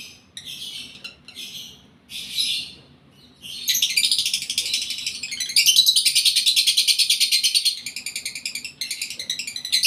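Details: A lovebird in breeding condition gives scratchy bursts that build into a long, fast, rattling trill of harsh pulsed notes, sustained for several seconds, over a faint hum.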